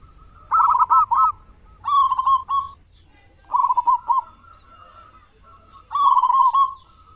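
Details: A local zebra dove with a big voice, kept as a morning and evening lure to draw other doves into song; four short bursts of rapid, warbling coos spaced about one and a half seconds apart.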